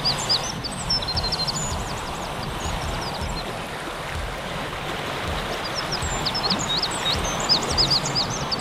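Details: Several Eurasian oystercatchers on the coast of a peninsula in Brittany, France, on 22 April 2019, give shrill, short piping notes in quick overlapping bursts, about four a second, over a steady roar of surf and wind.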